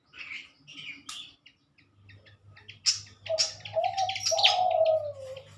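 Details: Pied fantails in a captive breeding pair meant for release, recorded in the morning in Indonesia in 2023: spaced high chirps, then overlapping squeaky notes and long, low, falling whistles over a humming background.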